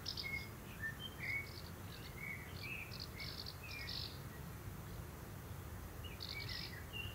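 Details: While the father common kestrel prepares food for the family in June 2024, scattered thin whining calls and short chirps come in bursts, then pause, over a constant low outdoor rumble.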